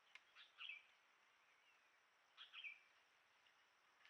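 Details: A Common Tailorbird, seen on a trail camera at Rocky Pool, Huai Khayeng Nature Park, Kanchanaburi, Thailand, in March, gives sharp, high tick-tick notes in two quick clusters about two seconds apart, over a faint steady hiss.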